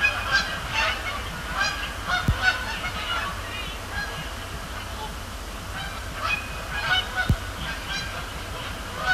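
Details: Canada geese honking at night over Sapsucker Woods Pond at the Cornell Lab of Ornithology, in flight and landing; bursts of nasal honks from several birds, loudest early and around six seconds, over steady low background rumble.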